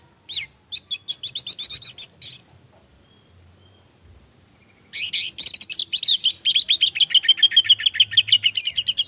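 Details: A female orange-headed thrush sings two bursts of rapid, high, chattering notes, about three to four per second, with a short silent pause between them; used to provoke and excite males into singing.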